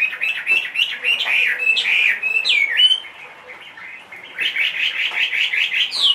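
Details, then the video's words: Caged Chinese hwamei, 2.5 years old and large-bodied, said to sing in any setting; rapid, varied song of loud rising and falling whistled slurs repeated in fast runs, with a brief quieter pause before another quick burst of bright notes. "HM 450 hót mọi địa hình bộ to 2,5 tuổi lồng"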